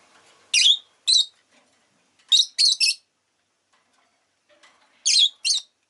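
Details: Pet rosy-faced lovebird calling in pairs of loud, shrill, rasping chirps, three paired bursts spaced over several seconds with quiet between.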